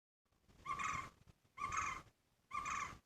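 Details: A Green Barbet that comes to a house window daily to sing and knock on it gives three loud, rich, somewhat hoarse notes, each about half a second long, repeated roughly once a second over a faint low rumble.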